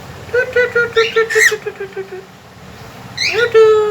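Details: Talking and singing pet cockatiel whistling a quick series of short even notes, about eight in two seconds, followed after a pause by a rising whistle that levels into a held tone.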